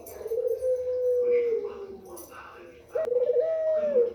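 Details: White female Barbary dove giving a call said to arouse males: a long, low, steady coo lasting about a second and a half that sags at the end, a quiet gap, then a second coo that lifts slightly before falling away.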